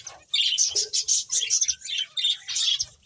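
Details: Finches playing, producing quick high chirps in short clustered phrases separated by tiny gaps, fairly loud and close.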